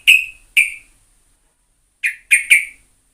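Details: Sooty-headed bulbul recorded for luring other birds, in a vigorous singing style. Five short, bright chirped notes: two spaced half a second apart, then a pause of over a second, then a quick cluster of three. Quiet background.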